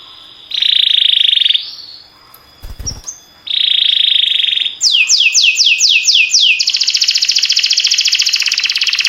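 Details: Canary singing: two buzzy trilled phrases separated by a click, then a string of falling sweeps and a steady rapid trill.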